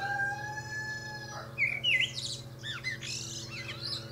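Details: Common Blackbird atop a pear tree: a short burst of looping whistled notes breaks in after a second and a half, then softer rambling warbles follow, with sustained tonal sounds at the start and a low hum throughout.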